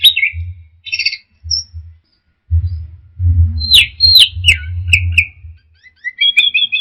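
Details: Teler song of an orange-headed thrush: scattered chirps, then sharp downward strokes and buzzy notes, ending in a short, evenly repeated high trill, over a strong low rumbling and knocking noise.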